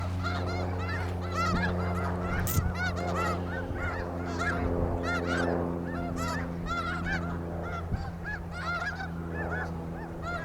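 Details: Snow geese at Iona Beach, British Columbia: a dense chorus of overlapping nasal honks, many birds calling at once in a steady unbroken clamour, with a low steady hum underneath.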